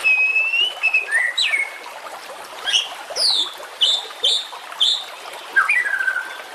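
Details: White-rumped shama song used to train competition birds: loud, clear whistles with long sliding notes and a burst of quick varied chirps, ending in a falling whistled phrase, over a light background hiss.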